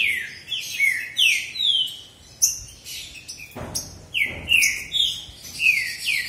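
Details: ['Male green-winged saltators in a singing duel deliver rapid descending whistled slurs, broken by a loud thump, then continue with evenly spaced ringing notes.']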